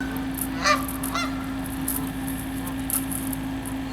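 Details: Canada geese on a freezing pond, resting and walking on the ice in the cold, give two loud, nasal honks about half a second apart, over a steady low hum and soft background hiss.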